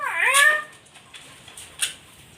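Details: Nias hill myna giving a loud harmonic call that dips sharply and then sweeps back up, with a rich layered tone, followed by a few faint clicks and soft taps.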